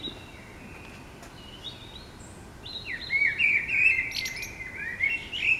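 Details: Urban common blackbird in early morning, soft distant whistles at first, then a loud mellow warbling phrase of rising and falling flute-like notes with brief high squeaks, over a constant low rumble.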